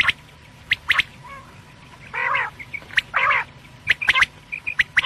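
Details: Quail (batair) calling: sharp triple-note whistled phrases repeated irregularly, mixed with two longer buzzy, nasal harmonic notes in the middle, over a low steady hum.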